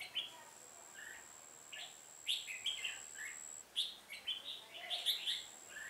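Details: Red-whiskered bulbul singing as a trapping decoy on 1 October 2018, meant to provoke wild rivals; scattered brisk whistled notes build into a dense, tumbling run of chirps near the end, over a thin high hum.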